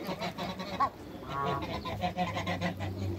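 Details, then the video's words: A pair of Toulouse geese in a backyard utter nasal honks and softer cackling notes, a steady run of calls with a low background hum. "COUPLE TOULOUSE GEESE AFTER THE CREATE WATERBIRDS IN THE BACKYARD"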